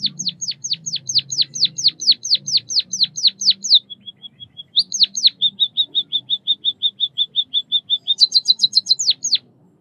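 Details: Chirping of the White-headed munia (Lonchura maja), a small Southeast Asian finch: long series of downslurred high notes, a brief thin whistle, then rapid even chirps and a higher trilled burst, under a soft low background hum.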